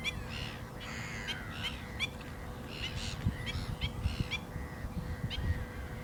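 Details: Black-winged stilt, known locally as كرسوع ابو المغازل, giving repeated sharp yelping calls with several birds overlapping, strong low hum and a steady faint tone underneath.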